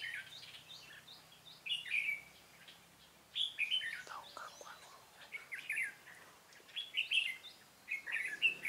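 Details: Red-whiskered bulbul used as a decoy while trapping, giving its fighting song: lively warbled whistles and chattering phrases repeated in bursts every second or two, with faint rustling between.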